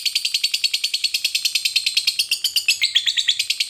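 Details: Fighter lovebird giving a long chattering song, used to provoke rival lovebirds into singing: a rapid, even series of high, harsh chattering notes, about eight a second, kept up without pause and rising slightly in pitch near the end.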